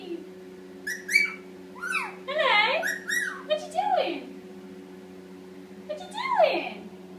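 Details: Indian ringneck parakeet, a pet eight months old, practising speech in the shower: jumbled, word-like warbling syllables sweeping up and down, one cluster then a late phrase, against a steady low water hum.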